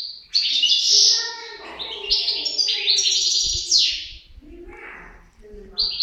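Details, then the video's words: Pair of European goldfinches singing: bright twittering phrases with rapid high notes and short buzzy trills, a tonal band underneath and a pause near the end. "couple chardonneret"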